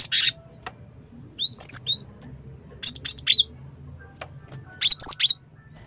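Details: Java sparrow call for luring birds: clusters of bright whistled chirps and short rising and falling notes, given in groups of two to four about every one to two seconds, against a quiet low background hum.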